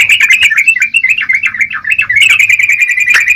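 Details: Energetic yellow-vented bulbul song, a dense, unbroken chatter of quick warbling and chirped notes that tumble up and down in pitch, with a brief sharp accent near the end.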